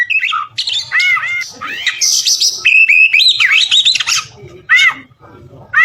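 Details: Oriental magpie-robin song meant for teaching other birds: loud, varied strings of looping whistles, buzzy high trills and sharp chips, with faint low background rumble between phrases.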